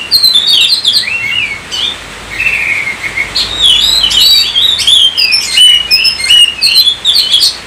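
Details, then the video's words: Oriental magpie-robin singing varied whistled phrases, including a sustained lower warbling passage midway, then quick high chirps and slurred notes in fast succession. "Kacer COVID-20 mampu sebarkan virus gacor kacer Anda"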